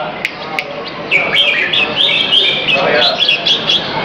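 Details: At an afternoon exercise session in a Serangoon North Ave 1 arena, 22 February 2017, a caged red-whiskered bulbul starts after a second of quiet hum. Rapid, lilting whistled chirps then run on without pause.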